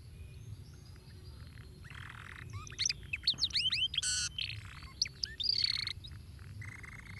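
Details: Canary song meant to stimulate canaries to sing: a varied jumble of high chirps, quick down-slurred whistles and rasping buzzy bursts, with louder clustered notes in the middle and a low steady hum beneath.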